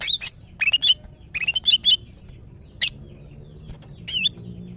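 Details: A female greater green leafbird kept in captivity, in breeding condition and calling males, gives a quick run of twisting whistled notes and sharp chips, then two isolated high, looping phrases after pauses, with faint low hum.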